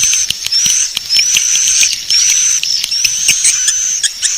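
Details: Lure call meant to draw in swiftlets, a continuous high, buzzy twitter overlaid by long thin whistled notes that slide slightly upward, broken by brief pauses and scattered clicks.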